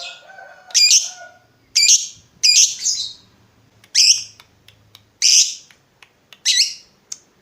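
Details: Lovebird used as a lure so other lovebirds answer: a string of loud, raspy, screeching calls about one second apart, some doubled, over a faint low hum.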